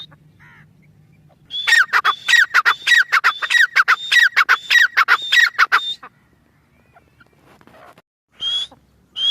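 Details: Faint notes over a low hum lead into four seconds of loud, rapidly repeated squawking phrases with a high whistled element from a grey francolin (Irani teetar). Quiet follows, with a brief renewed call at the end.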